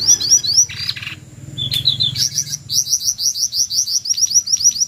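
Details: High-pitched screeching of a jongkangan, a recording meant to rouse white-rumped shamas: quick rising squeaks in clusters, a brief rough buzzy note, then a brisk series of sharp repeated upslurs, with a soft low hum early on.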